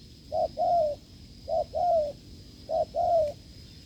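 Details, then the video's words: Spotted dove from the wild, met during an unsuccessful decoy trial, gives three low two-part coos, each a brief note followed by a drawn-out, gently descending one, with a faint constant high tone behind. "đụng bổi đồng gù cứng,gù lợi cốt quá phê"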